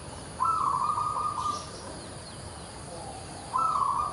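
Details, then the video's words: Local zebra dove singing energetically gives two long cooing phrases about three seconds apart. Each starts with pulsed notes and holds a steady, slightly rough coo, heard over noticeable background hiss. "PERKUTUT LOKAL GACOR LOKAL"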